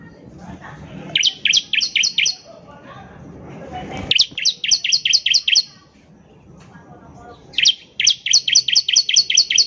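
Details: Ciblek (bar-winged prinia) song meant to prompt untrained birds to sing: three bursts of eight to ten high, sharp, rapidly repeated notes, separated by short pauses filled with low murmuring background noise.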